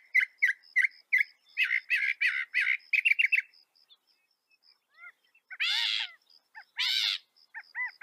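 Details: North American northern mockingbird singing: rapid repeated chirps and buzzy bursts, then soft arched whistles and two loud harsh squawks.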